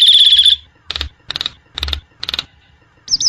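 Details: A sustained piercing whistle from a Nias hill myna in the wild, followed by four rough, rasping bursts at regular intervals and a short bright whistle at the end.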